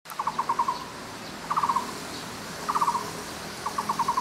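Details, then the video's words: Taiwan barbet, a bird endemic to Taiwan living in woods from lowland to mid altitudes, giving rapid bursts of five to six hollow, even-pitched notes, each burst about a second apart and repeated steadily against faint background hiss. "五色鳥/Taiwan Barbet"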